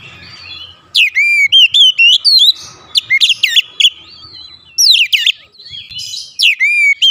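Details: Oriental magpie-robin kept in a house, singing energetically: loud upswept and looping whistles in clustered bursts, short gaps between phrases, faint low rumble beneath.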